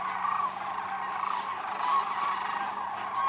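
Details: Large wintering flock of sandhill cranes at Whitewater Draw Wildlife Area, Arizona; loud overlapping bugling calls pour out continuously, with a faint low hum underneath.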